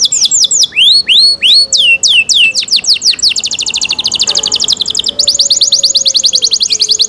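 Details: Canary song mixing rapid falling whistles and rising swoops, shifting into dense, very fast rattling trills at the end, with a faint low whistle-like tone underneath.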